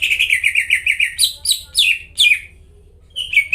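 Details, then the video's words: Rapid, evenly spaced whistles from a greater green leafbird, sung loudly to prompt silent birds to sing, give way to a few louder, sweeping downslurred notes, a pause, and one last whistle, over a soft low hum. "PANCINGAN CUCAK IJO GACOR BUAT CUCAK IJO YANG KONSLET DAN MACET BUNYI"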